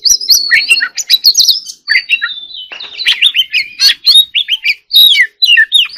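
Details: Lively, almost unbroken song of an Oriental magpie-robin, mixing sharp clicks, rising and falling whistles and rough chattering notes in quick succession, with a faint low hum.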